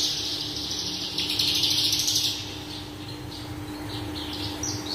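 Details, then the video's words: Horsfield's bush lark, parva form, singing a dense buzzy phrase of quick high chirps for the first two seconds, then softer scattered thin notes, over a persistent low mechanical hum. "BRANJANGAN parva gacor dor full isian"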